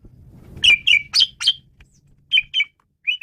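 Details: Male Asian pied starling, kept as a lure for training birds, giving a series of loud ringing chirps about four per second over a low background rumble, then a few spaced chirped notes.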